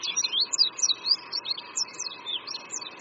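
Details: Oriental white-eye, Qingdao University creekside, Shandong, China: a fast jumble of thin, high, looping notes delivered without pause, sweet and twittery, against a quiet murmur of background noise.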